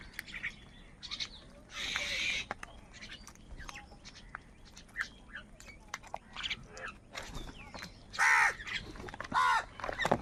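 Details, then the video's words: Crows squabbling over food: harsh, scratchy caws come in bursts, the loudest pair near the end, among many clicks, rustles and faint background voices. "কাকের ডাক Crow Sound Loudly | Different kauwa ki awaz | Kaka sound and noises of crow birds"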